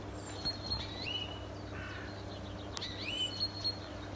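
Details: In a neighbour's garden, a European greenfinch gives a few quick twittering notes and short rising chirps, high and thin, over a steady low hum and background noise.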